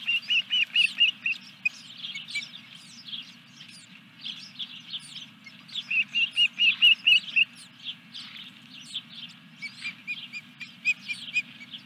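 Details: Osprey calling at the nest during a fish delivery at Dunrovin Ranch, evening of 14 July 2021. Two bouts of sharp, high whistled chirps, about two per second, are separated by softer scattered peeps.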